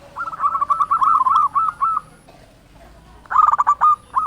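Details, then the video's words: Local zebra dove song meant to excite captive doves into singing; a long run of fast bubbling coos lasting about two seconds, a pause, then another loud stuttering phrase. "Perkutut lokal gacor SUARA BESAR pancingan burung perkutut agar bunyi"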